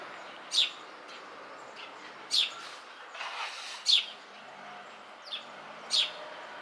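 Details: Eurasian tree sparrow perched on a house beam, giving sharp, high single chirps repeated roughly every one and a half to two seconds, with a few softer notes between them and faint steady background noise.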